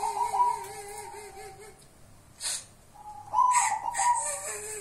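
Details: Local zebra dove of the kuntilanak type utters a low, wavering, quavering note under a thin whistle. After a quiet gap a brighter coo rises, cut by hissy noise bursts.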